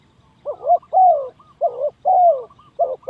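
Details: Spotted dove used to lure birds for trapping, giving rapid back-to-back phrases: rough doubled coos followed by a drawn, sliding-down coo, two full phrases and the start of a third.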